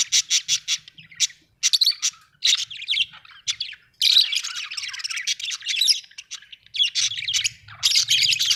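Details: Home budgerigars keep up a long, busy stream of high twittering and chirping, rapid clicks at first, then continuous warbled chatter over a faint low hum.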